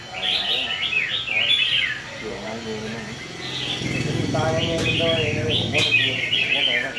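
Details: Red-whiskered bulbul performing in a competitive singing session on a display rack. Bright, warbled, rapidly modulated phrases come in bursts, pausing midway, over a lower human voice and background music.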